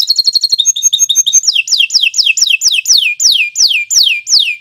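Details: Canary singing long and continuously, recorded for training other birds: quick high trilled notes open the phrase, followed by about a dozen clear descending whistled slurs repeated roughly three per second.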